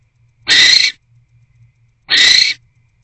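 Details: Barn owl inside a nest box, night of 20 January 2024, during a food delivery of a small rodent and mating. Two loud, noisy hissing screeches, each about half a second long, separated by a second and a half of near silence.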